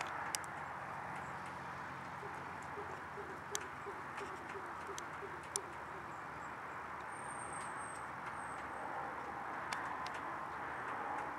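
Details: A displaying Western capercaillie (Tetrao urogallus) in Anna Paulowna, Netherlands, gives sharp, dry clicks spaced a few seconds apart with a quick run of low knocking notes, over a steady breezy hiss.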